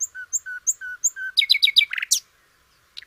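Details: Sikatan londo flycatcher, whose song is used to train other songbirds: evenly spaced paired whistles, a high note then a lower flat one, repeated five times, followed by rapid descending chirps and a harsh burst.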